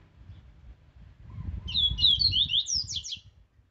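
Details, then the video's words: Rusty-collared seedeater giving a strong aggressive song for training: a run of slurred whistled notes rising and falling, ending in quick high down-strokes, over steady low rumbling background noise. "Canto Forte Para Encarte e Manejo!!! 1 Hora de Canto do Coleiro Laranjeira Agressivo!"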